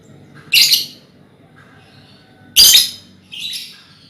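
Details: Two loud, harsh screeches and a softer follow-up call from hand-reared lovebirds in a colony, a sound used as a lure for ngekek trilling, over a faint low hum.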